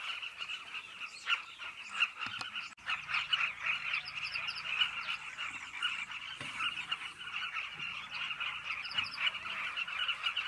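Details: Carmine bee-eater cliff colony with constant overlapping rough, trilled calls from many birds, plus faint high chirps and a few soft knocks.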